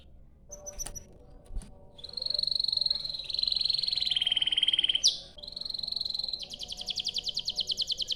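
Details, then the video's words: Canary song used to lure other canaries to sing: scattered faint chirps, then long high held notes with a dip, ending in a fast rolling trill of chirps. "Kicau Suara Burung Kenari Gacor Panjang cuit cuit Ngerol untuk Pancingan Kenari"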